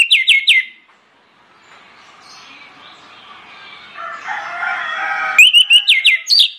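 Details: Lure song of an orange-headed thrush, delivered loud and insistent to make other birds join in: short bursts of steep falling whistles open and close the passage, with a stretch of softer distant bird chatter between them.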